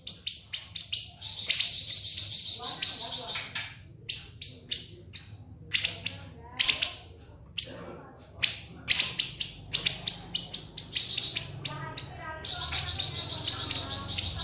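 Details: [['Ngebren masteran song of a siri-siri, meant for other songbirds to copy: dense runs of sharp shrill chips mixed with longer buzzy, level trills, short pauses between bursts, a faint low hum beneath.']]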